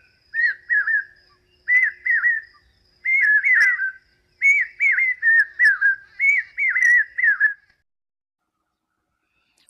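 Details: A male Common Hawk-Cuckoo (brain fever bird), calling in the breeding season as monsoon rains approach in Maharashtra to woo a female and claim territory, gives shrill whistled notes in quick groups of two or three, in rising bursts, with a faint insect-like whine.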